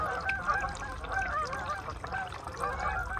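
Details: Migrating Canada geese on a lake in Maine in November 2021: a constant wash of honking from a large flock, the calls rising and falling and crowding over one another.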